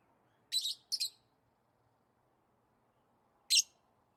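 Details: Lovebird chirping as when excited or playing: two quick harsh high chirps, a long pause, then one more sharp chirp, with a quiet background.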